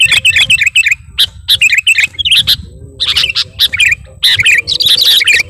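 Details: A sooty-headed bulbul sings to call its rival: quick chirping phrases with bright twittered notes and a short low humming tone midway, with steady low background noise.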